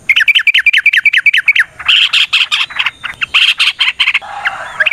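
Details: Yellow-vented bulbul in vigorous combative song used to trigger replies from other birds: a rapid string of liquid, bubbling notes gives way to harsher, squawking chatter.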